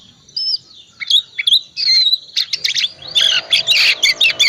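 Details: Oriental magpie-robin in full song as a lure to coax a reluctant magpie-robin into singing: thin whistles building into a dense, fast chattering jumble of high notes against a faint humming background.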